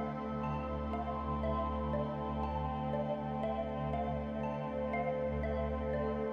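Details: Calm ambient music with sustained layered tones and a deep low drone, and no animal sounds.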